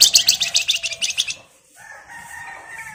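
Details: Male flamboyan lure song: a fast, even trill of bright, piercing notes lasting just over a second, followed by a faint, lower, drawn-out sound in the background.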